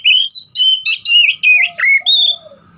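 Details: Oriental magpie-robin, gacor ngeplong style for stimulating silent birds: a quick string of loud, buzzy-edged whistled phrases about every half second, ending in a long descending whistle with soft lower notes beneath.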